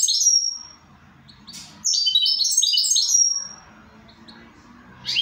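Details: Goldfinch singing: bright, rapid twittering bursts of high chirps and short buzzy trills, one near the start and a longer run in the middle, with a faint low background hum.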